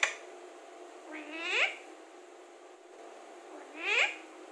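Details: Alexandrine parakeet, a talking parrot, giving two drawn-out harmonic utterances that swoop upward and then fall, about three seconds apart, with a steady hum behind them.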